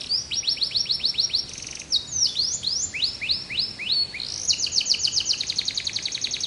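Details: Canary in relaxed song: rapid series of high downslurred whistles and quick rolling trills, changing phrase every second or so.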